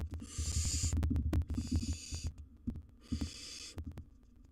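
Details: Baby barn owl, wild, in a camera-monitored nest box with gerbil prey: three harsh hissing screeches in quick succession, roughly every one and a half seconds, amid heavy thumping and scratching.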